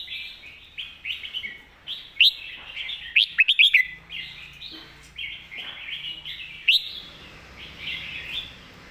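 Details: Red-whiskered bulbul singing master-song (mae bot) style phrases: a quick burst of bright, loud whistled notes mid-clip, with scattered sharp upslurs and a continuous twittering chorus of other birds.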